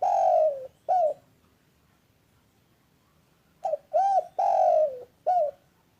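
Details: Spotted dove master call meant to spur lazy doves into calling: a long falling coo and a short coo, a pause of over two seconds, then a short coo, arched coo, long descending coo and closing short note.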